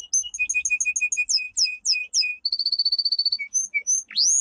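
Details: Training song of a domestic canary. Evenly repeated double notes give way to bold downward sweeps, then a rapid rattling trill, single whistles and a final rising slur.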